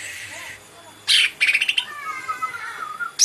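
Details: Green leafbird producing a loud harsh burst and a stuttering trill, followed by a drawn-out whistled descending line.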